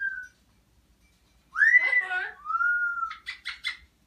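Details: Pet parrot chattering to a baby and grandmother in a room: a short steady whistle, then a loud swooping whistled note with rough overtones, a long level whistle, and a quick run of four clipped chattering notes.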